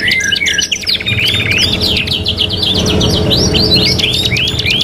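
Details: Training recording of a lively canary, part of a '3 in 1' mix: chattering trills and repeated curved whistled notes, with a rough low rumble building in the background toward the end.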